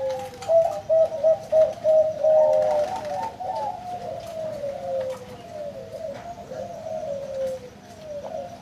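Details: Big-voiced zebra dove at a bird farm gives a quick burst of staccato, low coos, then rolls into longer, wavering cooing phrases that dip and rise.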